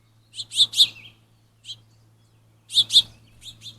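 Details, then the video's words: House finches, a father feeding recently fledged young that beg for food, recorded on a trail camera: clusters of sharp, high chirps in quick pairs near the start, a lone chirp mid-way, then another burst of doubled chirps and softer notes. "House Finch Calls - Father Finch Feeds Fledglings"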